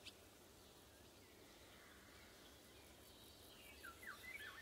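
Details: Eurasian golden oriole singing in summer woods in June 2020, recorded on an AKG C414B XLS mic pair. Steady wind and insect hiss, then near the end a short, fluty whistled phrase that slides up and down.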